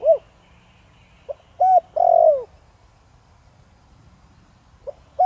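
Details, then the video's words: A 'thổ đồng' voiced spotted dove calling to lure wild doves; one phrase of brief coos closing with a long, descending mellow note, then quiet before the next phrase begins. "Cu gáy Thổ Đồng kích bổi nhanh nổi/Chim cu gáy giọng nhạy bổi/bổi nghe gáy như điên/cu rừng phản ứng"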